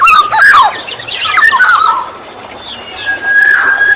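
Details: Black-naped oriole used to lure other orioles: a harsh, nasal burst with falling whistles, softer scratchy notes, then a long steady fluty whistle at the end.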